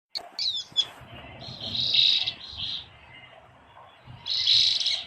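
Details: Javan grey-throated white-eye (opior Jawa, also called cucak gentong, pion or kiongan) in a lure recording of small forest birds on Java: a few clicks at the start, then bright high chirping bursts in two bouts.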